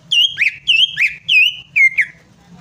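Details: Greater green leafbird song played as a lure to get a silent bird singing: paired whistled notes, a long clear tone followed by a quick dipping slur, repeated about four times in under two seconds over a faint hum.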